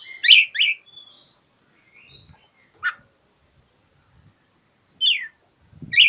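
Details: Oriental magpie-robin singing to challenge a rival, used to prompt silent magpie-robins to sing: short bright whistled and chirpy notes in quick pairs, a thin sliding whistle, then scattered sharp notes separated by pauses, with faint low thumps.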